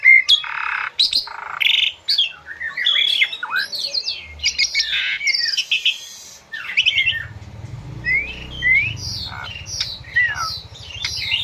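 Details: Asian pied starling in rich full song for training caged birds, with river water sounds added: varied rasping chatters and bright whistled slurs, and a low rushing rumble underneath in the second half.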